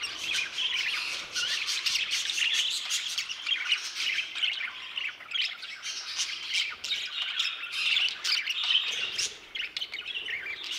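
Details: Many budgerigars in an aviary giving rasping squawks and rapid chirps in uneven bursts, the chorus rising and falling in loudness.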